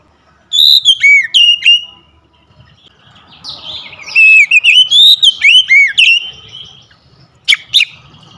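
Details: Home-kept Oriental magpie-robin, being restored to full song, gives a phrase of whistled slurs and sharp chips, then a longer varied run of rising and falling whistles, and two final sharp notes.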